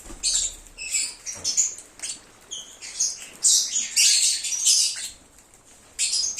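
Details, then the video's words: Lovebirds singing and peeping as a call-back lure for an escaped bird: rapid, overlapping shrill chirps and piercing squeaks, about two per second, with a busy chattering stretch midway before a brief pause. "SONIDO DE AGAPORNIS. Reclamo ,cómo canta un Agapornis o INSEPARABLE."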